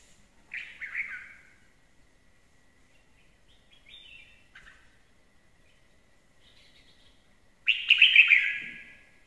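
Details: Red-whiskered bulbul, described as a fine-singing lure bird, giving two loud warbled phrases about seven seconds apart, rich and slightly buzzy, with faint brief notes between them in an otherwise quiet background.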